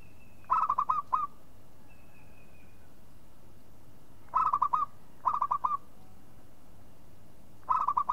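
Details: Local zebra dove calling in four short phrases of quick, mellow cooing notes, spaced irregularly, while a faint thin whistle from another bird drifts in early on.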